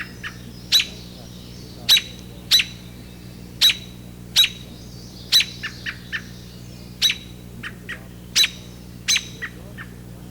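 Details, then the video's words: In spring, a female American robin scolds intruders near her cup-shaped nest in an apple tree. She gives about a dozen sharp, high 'peek' alarm notes, spaced irregularly, mixed with softer 'tut' notes over a low hum. "Peek peek tutt, she cries in alarm."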